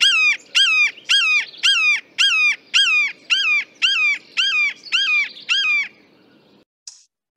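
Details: Red-shouldered Hawk in East Oakland, where it flies over houses, gives its unmistakable call, loud enough to carry very far: about eleven loud, clear, downslurred screams, roughly two per second, then a brief faint squeak.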